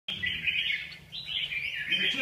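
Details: Red-whiskered bulbul singing a short, continuous, warbling phrase of bright, wavering whistles, with a brief spoken word heard right after.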